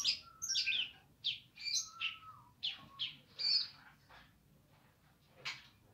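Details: Streaked spiderhunter singing vigorously: a run of sharp, chirpy notes, some rising or falling high squeaks and a few lower drawn-out whistles, bunched in the first four seconds, then a quiet gap and one final burst.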